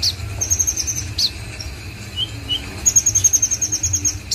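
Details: Konin singing high, rapid trills of bright repeated notes, one near the start and a louder one near the end, with a few short sharp chirps between, over a low background hum.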